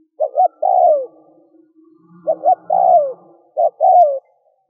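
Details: Spotted dove cooing played as a decoy to lure wild doves in Vietnam. Three phrases each pair quick notes with a longer descending coo, over a faint low hum in the background.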